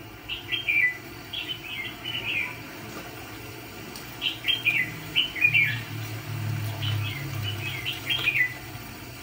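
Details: ['Red-whiskered bulbul kept as a decoy to trap fighting birds sings rapid clusters of bright, slurred whistled notes, with a low steady hum rising midway.']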